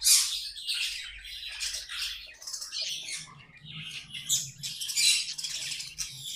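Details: Budgerigars kept as pets chattering and singing, a busy mix of harsh squawks and high buzzy warbles, with a faint low hum underneath in the second half.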